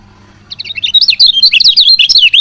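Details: Female lemon-bellied white-eye chirp used to get males singing: after a brief quiet start, a dense, fast series of high, squeaky twittering notes runs on steadily and loudly.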